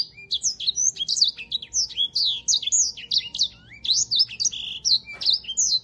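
Yellow-fronted canary singing a fast, unbroken run of high, sweet twitters and slurred whistles, the phrases tumbling together with barely a pause.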